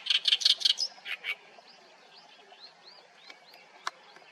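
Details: Oriental reed warbler in a Haenam reed bed: four loud harsh rasping notes and a couple of softer ones open the recording, followed by faint, evenly spaced arched whistles and one sharp click.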